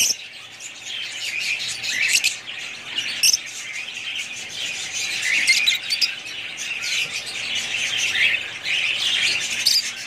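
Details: Budgerigars producing a constant high, buzzy warble, with louder surges of squeaky chatter every few seconds.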